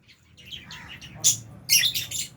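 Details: Albino and Fisher's lovebirds, kept with budgies in an aviary, feeding; high, harsh chirps in two bright bursts after softer twittering, with low background hum.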